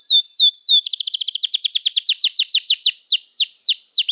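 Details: Lively canary song in the 'gacor' style, played to encourage young canaries and those that stopped singing. A few falling whistles lead into a rapid trill that slows into repeated swooping notes, loud and clean.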